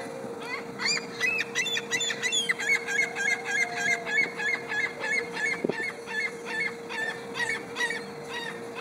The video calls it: Suara Burung Camar